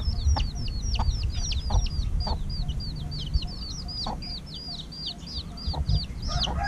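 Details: A flock of chicks about a week old cheeps continuously while being fed at dusk, giving bright, high, downslurred peeps about three per second from several birds, with occasional knocks over low background noise.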